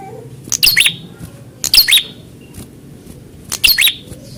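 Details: A prinia answers a rival during a mental fighting test with three quick, sharp, high chirping phrases, each repeated about every second or two, over a quiet indoor background.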